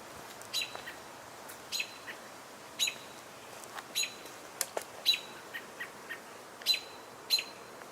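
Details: American Robin vocalizing from a pine tree near Rice Hall, possibly reacting to a nearby hawk (J1): sharp, high clipped calls, about ten in eight seconds at an uneven pace, some with a thin whistled edge, over faint background hiss.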